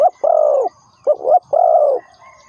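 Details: Spotted dove used as a trapping lure gives two clear cooing phrases. A short note runs into a long, even, slightly falling coo, and the second phrase opens with a doubled rising note.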